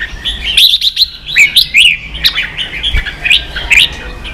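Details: Competing caged red-whiskered bulbul gives a rapid series of clear, warbling whistles and quick slurred notes, tightly packed phrases with a short soft thud partway through.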